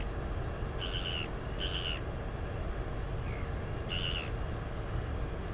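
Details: A 218-day-old female northern royal albatross chick at the nest area, doing wing exercises on 9.4.20, lets out three high, bright squeals of delight with harmonics, the first two close together. Steady wind roars underneath.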